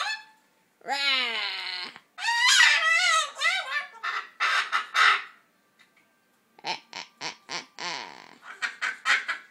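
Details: Talking attempt by a macaw, mimicking speech in a fuzzy way: a few wavering, nasal squawked phrases, then a quick series of short clipped chattering notes after a silent gap.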